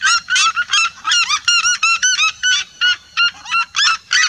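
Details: Several red-legged seriemas calling together in a vibrant song, loud yelping notes with bent, rising pitch, grouped in quick bursts and then spaced single yelps.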